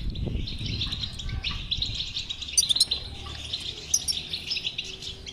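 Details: European goldfinch singing, meant to get a silent goldfinch to sing; a continuous rich twitter with tinkling high notes around the middle and near the end.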